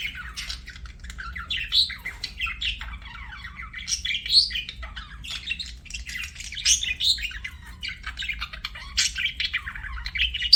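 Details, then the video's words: Pet budgerigars chirping in a continuous warbling chatter of buzzy, scratchy notes and sharp high chirps, bursts swelling every second or two over a faint low hum. "BUDGIE CHIRPING SOUNDS"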